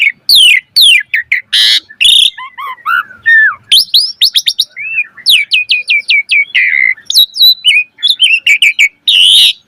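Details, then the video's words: Asian pied starling delivering lively, imitation-rich song: raspy bursts and swooping whistles give way to a rapid rhythmic series of sharp upward notes, then mixed chirps and a final harsh note. "Suara Jalak Suren Gacor Full Isian Variasi"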